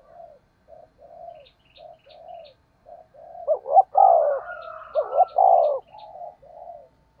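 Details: Spotted dove decoy cooing, fast 'thúc gù' style with rustic voice. Soft, short low coos repeat steadily, then build into loud stuttered coos and long falling notes mid-clip before quieter coos return. Faint high twitters in the background.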